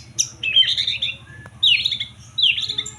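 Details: Murai batu, the white-rumped shama, giving higher, harsher phrases. Three scratchy, slightly buzzy bursts are separated by short pauses, with one sharp click between them over a soft low hum.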